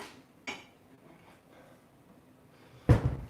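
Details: Indoor clatter of dishes or objects, with a sharp knock near the start and a louder bang toward the end, over a quiet room background and no animal sound.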